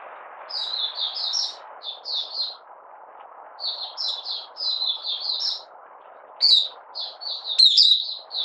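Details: Caged Malaysian Oriental white-eye in minor moult, singing on 31 July 2023. Quieter strings of high, twittering chirps come in short bursts over a constant low hiss, with a sharper accented note near the end.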